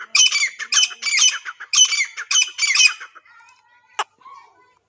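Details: A wild grey francolin (Francolinus pondicerianus), described as a female, gives harsh, grating squawks in quick bursts, about five in three seconds, followed by a sharp click and a faint thin whistle.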